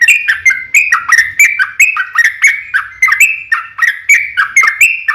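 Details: Chattering yellow-vented bulbul song used as a call-back lure, a rhythmic series of short whistled phrases with dipping notes, repeated rapidly and evenly throughout.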